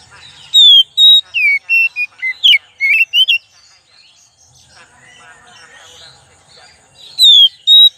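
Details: Oriental magpie-robin lure song: loud, varied whistled phrases with sliding and falling notes, about a dozen rapid bright notes over three seconds, then a quiet pause with faint soft chatter, before two more clear whistles near the end.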